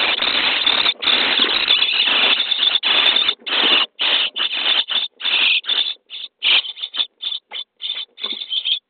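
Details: Starling nestlings in a nest box on day 23 at feeding time: a loud, unbroken rasping chorus for about three seconds, then breaking into quick short hissy begging bursts.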